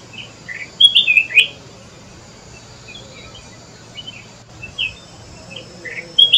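Flame-throated bulbul giving short, bright chirping phrases in three bursts a couple of seconds apart, over a faint low hum.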